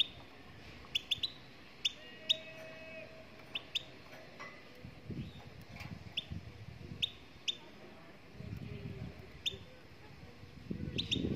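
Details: Moroccan goldfinch singing: short, sharp, high chirps and brief twittering notes come in irregular bursts, often half a second to a second apart, over a low background rumble.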